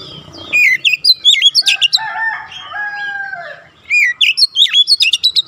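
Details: Song of an oriental magpie-robin for training young birds: rapid whistled and chirped notes, then long lower sliding whistles in the middle, then another fast burst of sharp looping notes.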